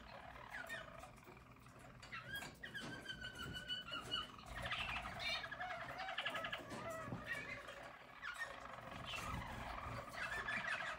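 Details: A 2022 team of yellow Harz German Roller canaries sings soft, rolling, rattling trills that swell and fall in long unbroken phrases, with faint background noise.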